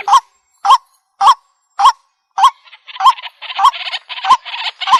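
A waterhen gives loud, nasal, honking notes about twice a second. A dense, buzzy chorus rises behind it partway through.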